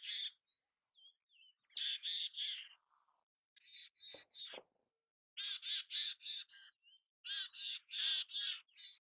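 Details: A mountain chickadee sounds a thin whistle and short slurred notes, then runs of hoarse, buzzy dee-like notes in groups of three to five, with brief pauses between the groups.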